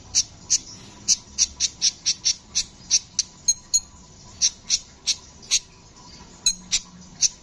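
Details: Energetic rolling song of a brown-throated sunbird, the kolibri ninja. A fast, even run of sharp, very high ticking notes, about three per second, pauses briefly, then resumes with more scattered chips.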